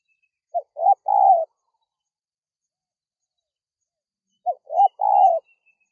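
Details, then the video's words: Spotted dove call used to lure wild doves: two identical phrases about four seconds apart, each with two quick clipped notes leading into a longer, rough rolling coo, faint high chirps in the background. "SUARA MEMANGGIL TEKUKUR LIAR"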